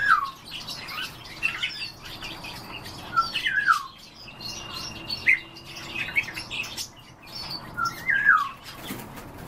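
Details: European bee-eaters calling on a morning, part of a daily morning routine: repeated short rolling, downslurred notes from several birds, scattered through the recording with thin steady whistles and other chirps in the background.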